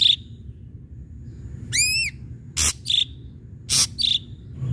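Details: Ashy drongo song played to stir other birds to sing, mixing short clear whistles, one ringing upward-sweeping note with rich overtones, and harsh rasping bursts with brief clipped notes between them.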